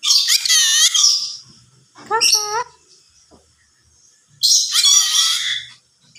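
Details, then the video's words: A yellow-sided conure that can talk produces a harsh, speech-like phrase, then a short stack of quick rising harmonic notes, then another long raspy burst after a quiet gap. "burung yelow side conure bisa ngomong"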